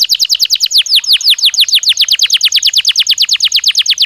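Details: Belgian canary singing naturally: a rapid rolling tour of loud, descending whistled notes that slow slightly in the middle, then speed up again into a steady, evenly spaced chain to the end.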